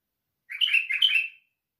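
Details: A white-eared bulbul gives a single lively warbled phrase, about one second of quick, liquid, rolling notes rising and falling, in a clean recording without background noise.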